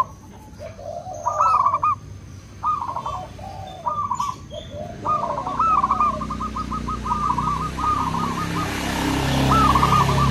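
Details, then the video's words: Local and crossbred zebra doves answering one another with short stuttered coo phrases and a long even run of clipped notes. A low engine rumble grows toward the end. "Perkutut lokal dan crossing pasti nyaut!! Suara perkutut pulen"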